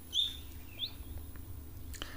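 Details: At an African waterhole on 30 September 2025, a Jameson's Firefinch gives two brief, high, thin notes about half a second apart, the first louder, over a low outdoor rumble.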